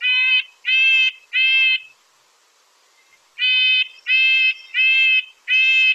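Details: Red-breasted nuthatch, played back as a homework recording during a Lake Tahoe bird-sound class: nasal, tinny, horn-like notes. There are three notes, a pause of about one and a half seconds, then four more, each note short and evenly spaced.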